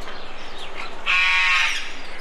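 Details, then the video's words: A young macaw gives a single harsh, raspy, nasal squawk about half a second long after a softer rising note, with a steady low hum behind; macaw. "Baby Macaw"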